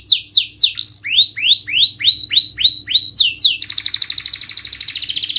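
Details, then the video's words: Canary song used as a lure to stimulate a lazy bird to sing: a run of high down-slurred whistles, then a series of evenly spaced sweeping notes, ending in a rapid buzzy trill. "Pancingan Kenari Naikin Emosi dan atasi Burung males bunyi"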